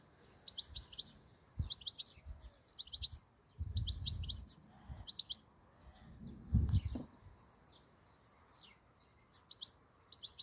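A European goldfinch gives bright, tinkling twitters in quick clusters of chirps, with low thumps and rumbling handling noise underneath.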